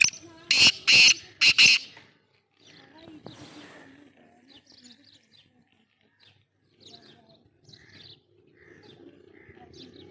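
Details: In Sindh, Pakistan, a black francolin opens with a loud, harsh phrase of four grating, rasping bursts within two seconds. Faint high chirps of other birds and low background murmur follow.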